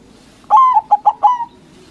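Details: A white local zebra dove singing loudly, meant to provoke rivals into answering. Long coo, two brief clipped notes and a closing drawn coo, all within about one second.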